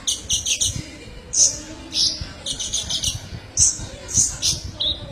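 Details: Kolibri ninja sunbird in a masteran recording: a fast opening rattle of high notes, then loud piercing single chips repeated every half second or so, with short trills between.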